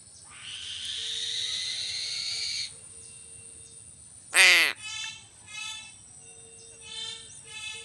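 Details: Crow calling one loud, rasping caw after a long hiss, then several softer, shorter nasal notes trailing off.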